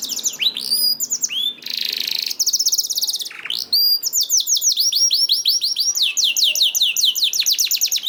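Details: Canary singing as a lure to set other canaries singing: quick high chirps, a buzzy rasp, a low swooping note, then a long, rapid, even trill of descending notes.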